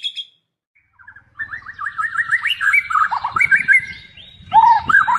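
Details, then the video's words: White-rumped shama in full song, used as a lure song rich in mimicry: varied fluid whistled phrases, rising and falling, running continuously, with brighter ringing notes at the end. "pancingan murai batu gacor full isian"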